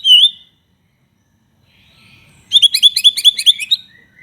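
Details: White-rumped shama in full voice, a lure to get other shamas singing: one bright slurred whistle, a pause, then a rapid run of about a dozen repeated ringing notes trailing off into a soft whistle.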